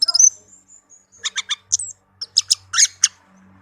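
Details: Softer singing by a tame, kept Orange-headed thrush: a quick high chirped flourish, a faint thin whistle, then a spaced series of sharp metallic notes, with a low hum at the end.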